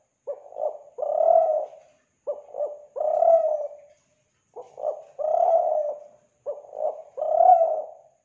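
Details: Lure call of a Kelantan spotted dove: mellow, hollow cooing phrases. Each opens with two quick clipped notes and ends in a sustained low coo, with the phrases coming at a steady rhythm of about one every two seconds.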